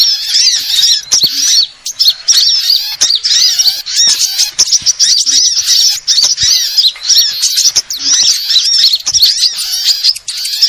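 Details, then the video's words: Lure sound of assorted sunbirds: nonstop high-pitched chattering of tiny chirps and rapid trilled notes piled on one another, with frequent sharp clicking in between. "suara pikat semua jenis burung kolibri"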